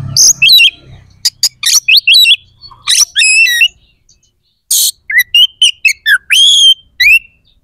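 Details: White-rumped shama, a bird kept for song, delivering a dense rapid run of harsh bursts, clicks and ringing whistled upslurs, pausing about a second before another loud burst and a fast whistled sequence.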